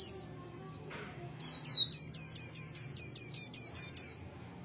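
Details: Oriental white-eye in the morning, a short high note and a click, then a steady burst of about twelve bright descending whistled notes, evenly repeated, over a faint low hum.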